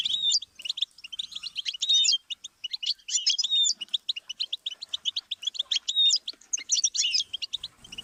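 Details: Goldfinch song stimulus for teaching songbirds, rhythmic runs of quick chirps punctuated by whistled slurs and buzzy notes, phrases repeating with short pauses around two seconds apart.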